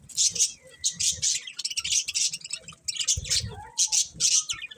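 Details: Bright, piercing budgie chirps come in rhythmic clusters about every half second, a sharp twittering chorus with a soft low thud partway through.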